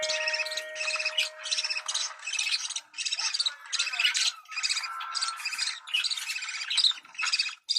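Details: Budgerigar mating call for encouraging breeding: bursts of fast scratchy chirping separated by brief gaps, opening with a steady flat tone in the background.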